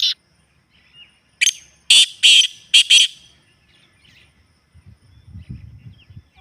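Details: Real partridge call for getting kept partridges to call: a short rasping phrase of five loud, scratchy notes over roughly one and a half seconds, followed by near silence and soft low thumping.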